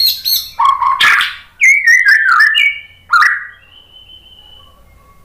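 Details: Singing white-rumped shama, a lure to make birds respond: varied whistled phrases, some rising, some falling and warbled, with sharp click notes and a long thin high whistle near the end.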